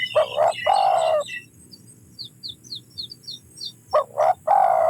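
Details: Spotted dove cooing at the start and end, short double notes then a sustained low coo, with a gap in between filled by a few thin, high chirps from another bird.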